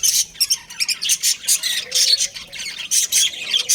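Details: Breeding pair of pet budgerigars squawking and chirping in short harsh bursts several times a second, with a few lower slurred notes midway.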